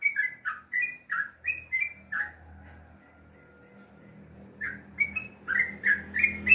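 Sooty-headed Bulbul singing quick bursts of liquid, falling whistled notes, pausing for about two seconds before starting again; faint low hum behind.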